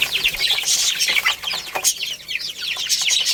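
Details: A flock of young chicks chirps nonstop while playing and eating: shrill falling peeps crowd together, with occasional short taps and clicks throughout.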